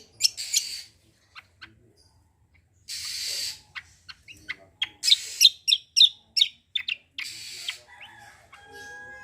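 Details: Kecial kombo singing in gacor style to coax untrained birds into song: scattered sharp notes and short harsh rasping bursts, with some quiet pauses between phrases.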